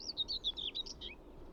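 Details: Common whitethroat singing by a road near quail fields in summer: a short, scratchy, hurried warble of high chattering notes lasting about a second, over a quiet background.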